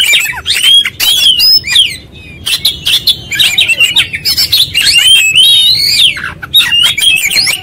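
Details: Oriental magpie-robin pouring out its full repertoire in insistent 'gacor konslet' style: quick whistled slides, harsh rattles and sharp chips, broken by one short pause.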